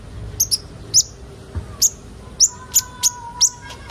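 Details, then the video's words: Kolibri ninja sunbird in a lure recording for young birds: spaced high, sharp chips, roughly two per second, over a faint steady low hum. "Burung kolibri ninja bahan ombyokan cepat gacor"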